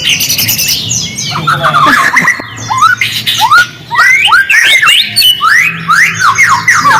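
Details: White-rumped shama song used as a lure to make silent shamas respond: dense, varied whistled phrases with fast rising and falling sweeps and harsh chattering notes, a steady low hum underneath.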